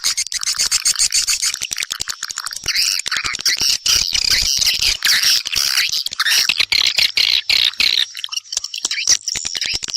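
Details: Swiftlets call others in to build nests: thick chorus of shrill chattering twitters, denser and harsher at first, thinning slightly toward the end.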